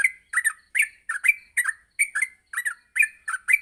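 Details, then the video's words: Yellow-vented bulbul singing in a morning training recording for young birds; quick paired chirps and slurred bubbly notes, roughly three per second, crisp and close. "masteran pagi burung trucuk untuk melatih trucuk agar cepat ngropel"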